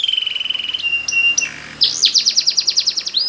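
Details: Canary training song in Spanish Timbrado style: a steady high whistled note, a lower held tone, then a fast series of rising-falling trilled notes.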